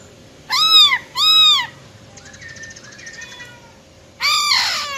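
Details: Female silver-eared laughingthrush with a wild-type voice, used to rouse males to sing fast: two loud arched harmonic notes, faint thin whistles, then a harsher rising note at the end.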